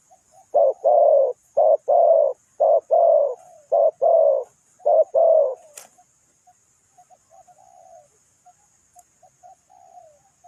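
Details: Decoy spotted dove kept for ground trapping of wild doves, tied to Ninh Thuận; five paired bursts of loud, low, hoarse cooing about once a second, then a sharp click and faint, scattered softer coos.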